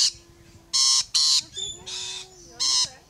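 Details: Rainbow lorikeets climbing a fence give harsh, grating screeches in short bursts, three loud ones and a softer one within three seconds, with a faint steady tone underneath.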